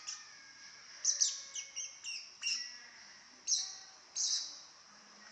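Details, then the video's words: Chatty baby lovebird, kept as a pet: shrill squeaks and chirps in irregular bursts, some slurred downward, over a constant high hiss. "Baby love bird bawel banget"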